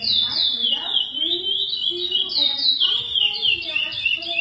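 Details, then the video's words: Captive-bred Lesser seed finch, described as high-genetics stock, singing the classic praia song style: a continuous flowing warble of clear whistled notes sliding up and down, with fainter low sounds underneath. "Curió Canto praia clássico"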